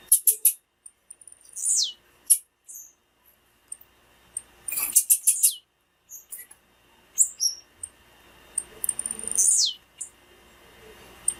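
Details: Thin, high female blue-black grassquit whistles, each falling steeply, mixed with quick bursts of sharp chips and scattered ticks; the calls serve to stimulate male grassquits to sing.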